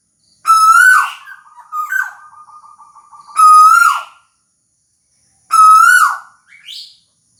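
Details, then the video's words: Tuwu bird repeating loud, slightly rising whistles that fall away at the end. A soft rapid trill runs between the first two whistles, and a short, higher squeaky note follows the last. "Suara Burung Tuwu"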